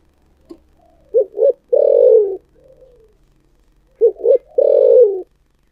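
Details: Two complete phrases from a spotted dove with the 'thổ sấm' voice. Each phrase is two clipped coos and then a long, low, falling coo, about three seconds apart, with a faint softer note between them.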